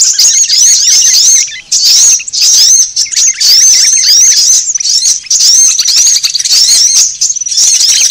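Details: Repeated thin upward-sweeping whistles and quick high chirps from sunbirds, played to draw birds in, come in dense bursts separated by short gaps.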